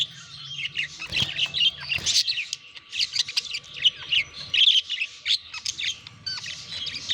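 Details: Budgerigars chatter while courting and mating, a steady stream of warbled chirps and squeaky notes with a couple of soft knocks early on and a low hum.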